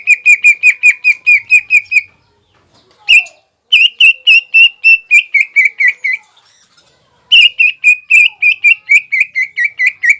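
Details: Greater green leafbird singing mbeset, meant to anger rival birds: quick strings of clipped whistled notes on one pitch, a few dipping lower at the end, in three bursts with gaps.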